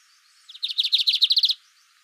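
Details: A single brief trill from a lined seedeater (bigodinho): around ten rapid, high, pulsed notes, slightly buzzy, over about one second.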